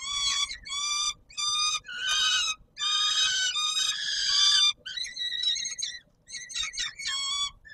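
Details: Peregrine falcon, Palace of Culture and Science, Warsaw, Poland, 17 July 2022, supper time: a run of scratchy, nasal wails, a long drawn-out cry in the middle, then quicker choppy stuttering notes.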